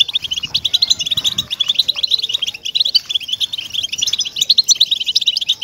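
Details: Captive-bird motivation recording of European goldfinch song: fast, bright twittering phrases of clipped high notes and liquid trills running without pause, strong pulses of sound several times a second.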